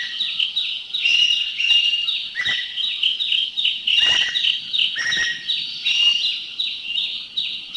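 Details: Common green magpie giving loud, strident, high-pitched calls, with rapid chattering from a greater necklaced laughingthrush in the background and some sharp clicks; recorded in a Thai national park (Khao Yai, Doi Intanon, Doi Suthep-Pui or Chae Son).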